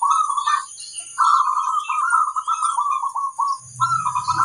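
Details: Zebra dove singing on a training recording meant to encourage birds to sing. A short coo is followed by a long run of rolling, bubbly cooing notes with brief breaks, and a low hum appears near the end.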